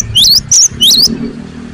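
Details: Cinereous tit song: three sharp, high, whistled two-part notes in quick succession over a low rumbling background.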